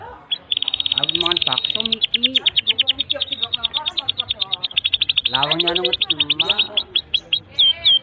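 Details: Tutor song for young canaries: a long fast rattling trill of high chirps running almost continuously, with lower warbling notes beneath and a final looping whistle.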